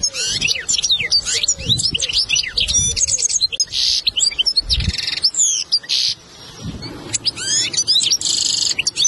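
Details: European goldfinch lesson song for training young goldfinches, a fast, liquid twittering song of tinkling chirps, trills and buzzy notes without pause, with a few soft low thumps beneath.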